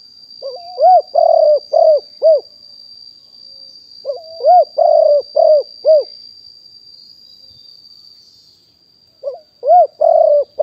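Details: Spotted dove, described as fully wild, recorded live in 2021 as a decoy-calling bird. It gives three phrases of a rising coo followed by several hoarse, arched coos. A faint steady high electronic whine runs throughout.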